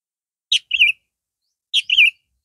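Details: Captive sooty-headed bulbul of the red-vented form, singing: two short phrases about a second apart, each a sharp high note followed by a quick warbled flourish, with clean, quiet surroundings.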